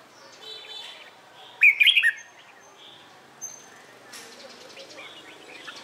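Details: Morning training song of a red-whiskered bulbul, a competition singer. A single vivid half-second burst of rolling whistles stands out, followed by faint scattered chirps and rustling background noise.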